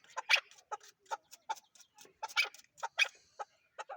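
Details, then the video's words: Chukar partridge giving loud, grating chuck notes in quick groups of two or three, about three groups per second. "chakor# ki# awaz"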